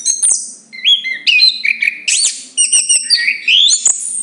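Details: Song of the chestnut-capped thrush: varied whistled notes rising and falling, some slurred upward, grouped into short warbling phrases with brief pauses, mixed with high squeaky notes.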